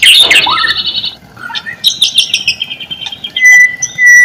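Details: White-rumped shama song used as a lure to get silent, lazy shamas singing: a loud sustained buzzy trill, then a rapid mix of clicks, chattering notes and clear whistles ending on a long pure note.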